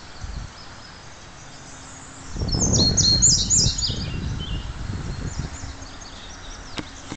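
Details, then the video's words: Male indigo bunting singing at Crosby Park in St Paul, Minnesota: a bright run of high paired notes, sharp and slurred, fading into softer echoing notes, with low rumbling noise underneath. "Singing Indigo Buntings"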